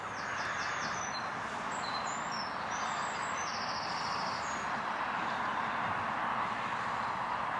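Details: Several common terns, agitated after a chick apparently disappeared, dive-bomb a passing person, giving high, sharp, grating calls in quick bursts through the first few seconds, half-buried under strong wind roar.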